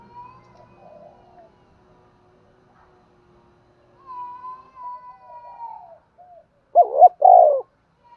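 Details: Decoy spotted dove calling to lure and draw in wild birds. Soft, faint cooing at the start, then one loud, low, hoarse two-part coo near the end. No other clear sounds.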